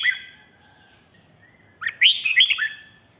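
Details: Red-whiskered bulbul singing a ริก (rik) style song, played so other birds become lively: a brief whistled note opens, then after a pause a rich, bubbling phrase of four or five quick, loud, warbled whistles.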